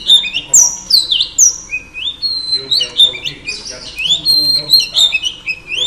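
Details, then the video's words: Female oriental magpie-robin singing to rouse male birds: a lively run of clear whistled notes, many sliding up or down, some high and sharp, delivered in quick varied phrases with short gaps. "Than mái hót kích trống P3 Oriental Magpie Robin Female"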